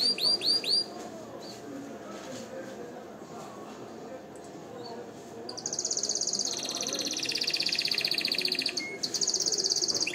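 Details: Canary song used for singing training and to stimulate females to mate: a few quick rising notes, then a long, fast, buzzy rolling trill held steadily, over constant low background noise.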